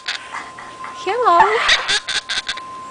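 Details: Talking bird mimicking a human phrase: a wobbling, voice-like warble rising and falling in the middle, followed by a few short clicks and chirps over a faint steady hum.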